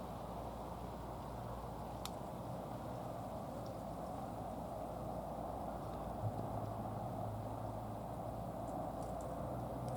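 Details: Steady outdoor background noise with a low hum and a single sharp click, no clear calls.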